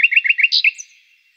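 A common nightingale's song phrase: five quick, even chirps, then a louder buzzy note and a thin high flourish that fades. No other sounds.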